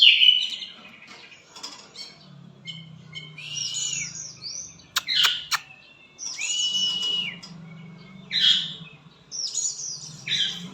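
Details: Lovebird from Palembang, Indonesia, singing in the konslet style: bursts of high, buzzy, rasping chirps and short whistled notes, separated by brief pauses, with sharp clicks in the middle and a faint low hum underneath.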